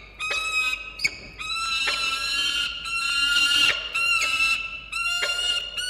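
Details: Peregrine falcons, juvenile Izzi calling to her father Xavier, 4 August 2021 around 9 am, give loud, harsh, high wails and chittering bursts, several overlapping and rising in intensity, with short gaps between bouts.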